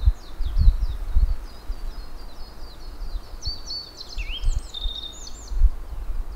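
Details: High, thin Japanese yellow bunting phrase of quick whistled notes ending in a lower falling slur, heard after a run of faint repeated high chirps, with low thumps and rustling.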